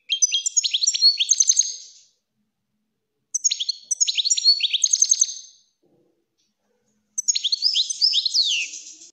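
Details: European goldfinch (Carduelis carduelis) singing three bright, rapid phrases of tinkling, twittering notes and buzzy trills, about two seconds each with short pauses; an excited song used to tutor young goldfinches and stimulate females.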